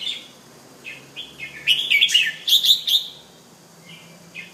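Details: Home-kept male bulbul from Penang displaying: short whistled notes build to a loud run of rapid, evenly spaced chirps, then trail off into a couple of soft whistles.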